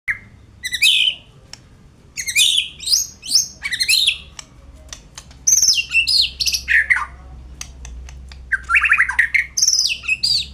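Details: White-rumped shama singing loud, varied phrases of clear whistles and sweeping notes with rapid trilled segments, delivered in bursts separated by short pauses, indoors.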